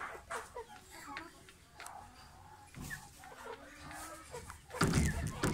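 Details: A male red Yokohama rooster gives short, low clucks at an uneven pace, with human speech and a burst of rustling noise near the end.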